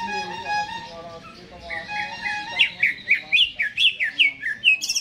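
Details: Greater green leafbird in a cage, singing energetically before being hung up; soft mixed chatter opens, then a bright series of loud, sharp, repeated chirps about two to three per second.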